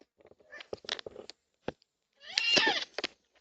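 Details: Four yellow-tailed black cockatoos at a backyard bird feeder in NSW, Australia, on 20/3/26, picked up by a security camera; scattered clicks and short rasps, then one loud, coarse, drawn-out screech, followed by a few brief notes.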